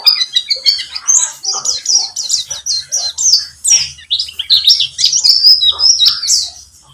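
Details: Pleci (white-eye), buxtomi type, singing on a lure track to prompt other birds. A sustained, lively warble of sharp high chirps and slurred whistles, fading out at the end.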